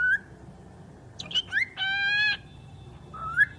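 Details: Talking bird opening with a rising whistle, then squeaky upward slides and a loud, rich, buzzy held note with stacked overtones, closing on another rising whistled phrase.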